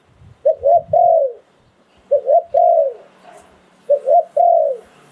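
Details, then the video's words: Spotted dove kept as a ground decoy bird, cooing in the Thai phon liu tan style: each phrase is two short quick coos and then a long, falling, drawn-out coo, repeated three times at a steady pace. "เสียงนกต่อดิน 2022 สายโผน หลิ่วตัน"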